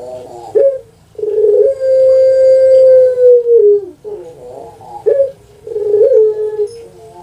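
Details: Puter pelung dove, kept as a cage bird on Java, Indonesia. A short upslurred note leads into a prolonged level coo that dips at the end. Brief stuttering notes and the start of another phrase follow.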